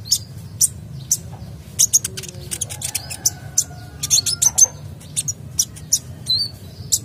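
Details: Kolibri dacok, a sunbird in full vocal form, its song used to set other birds singing; scattered very high short ticks and thin chirps come at irregular intervals, with a soft low hum throughout.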